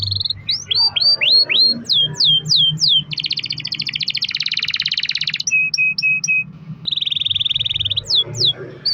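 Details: Domestic canary in long-roll song for prompting other canaries: rising and falling whistled sweeps, a dense broad buzzy roll, clipped repeated notes, a high trill, and further sweeps.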